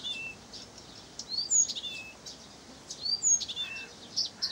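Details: In Pavlodar, a Blyth's reed warbler sings a varied run of high slurred whistles, clicks and short upward sweeps, grouped in loud phrases about every second and a half, with low background hiss.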